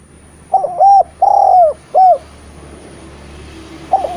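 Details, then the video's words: Eurasian collared dove used to stir silent spotted doves into song coos steadily: short, long and short notes, then a pause, and a new phrase begins at the end. "Derkuku gacor cocok untk memancing tekukur bahan yg malas bunyi"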